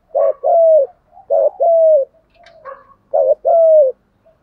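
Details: Spotted dove used as a lure bird, calling to draw in wild doves: three low cooing phrases, each a short doubled coo followed by a longer, steady note that falls at the end, with soft murmurs between.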